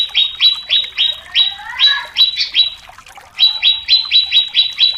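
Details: Greater green leafbird song used as a lure to rouse competition birds: rapid series of sharp notes dropping from about 4k, repeated roughly three times a second, with a brief lower warbled phrase midway.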